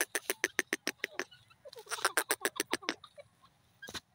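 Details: Dakhni teetar, the grey francolin, giving a fast run of loud, grating pulsed notes, a brief break with softer chatter, then another quick harsh series ending in a single sharp note.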